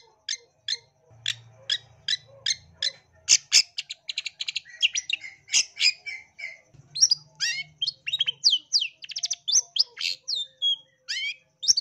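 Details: Long-tailed shrike, East Java strain, on a tutor and lure recording to excite aggressive singing. It opens with evenly spaced sharp chips, then launches into a fast, varied medley of buzzy trills and scratchy notes, with a faint low hum.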